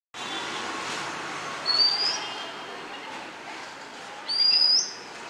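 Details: A released female Oriental magpie-robin calling for a male: two loud, clear upslurred whistles, a few seconds apart, over a steady background hiss.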